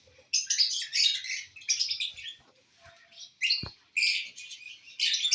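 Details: Several bursts of high, scratchy chattering squeaks from lovebirds feeding on corn on the cob, broken by short pauses and a single sharp click.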